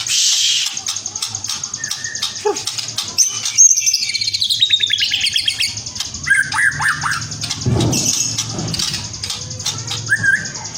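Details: Young white-rumped shama in spotted trotol plumage singing a varied song: clear whistled notes, fast high trills and scratchy chirps in quick phrases, over a steady high hiss and a low hum, with a brief broadband noise near the end.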